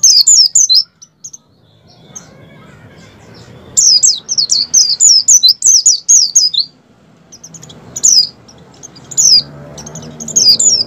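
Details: Song of an Oriental white-eye in breeding condition, wild 'ngalas' type, used to trigger captive white-eyes into song: phrases of piercing, rapidly repeated descending chirps, the longest run lasting about three seconds, between quieter gaps with a low background murmur.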